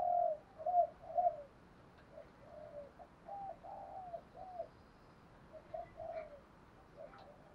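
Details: Spotted dove decoy calling to draw and provoke wild birds; repeated low mellow coos in loose groups, fading quieter later, against a continuous hissing background.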